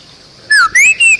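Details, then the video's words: Bali myna whistling for songbird training: three loud, clear whistled notes, the first sliding downward, the next two rising and then leveling off, separated by short pauses. "Ocehan Burung Jalak Bali"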